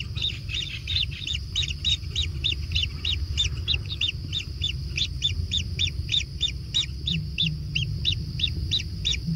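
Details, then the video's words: Chicks in a natural kingfisher nest being fed, keeping up a long, steady run of high chirps around three per second without pause, over a constant low hum. "Anak Tengkek Diberi Makanan Semakin ExTrim - Natural Kingfisher Bird Nest"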